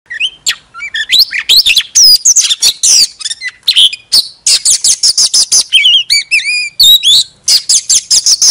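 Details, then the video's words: Oriental magpie-robin singing a decoy song in full display: a dense, varied run of loud, sharp whistles, upslurred and downslurred notes and trilled phrases, with almost no pauses. "Chòe than hót xòe II chòe than mồi CỰC HAY"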